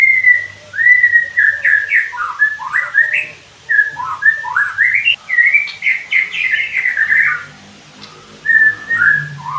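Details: White-rumped shama singing, played to coach birds into fuller song: a long flowing stream of loud whistled slurs, upward flicks and warbled notes, pausing briefly before a last phrase.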